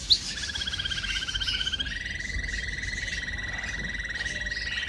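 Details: Canary training song: a sustained, rapidly pulsed rolling trill that steps up slightly in pitch midway and holds steady, with a faint higher trill above at the start.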